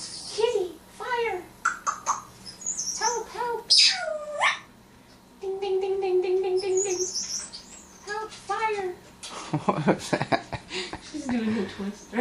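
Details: Female African grey parrot, a pet that acts as if she were a firefighter, mimicking human speech and sounds: wavering talk-like phrases, a steady repeated bell-like tone mid-clip, then squeaky whistles; a woman speaks and laughs alongside.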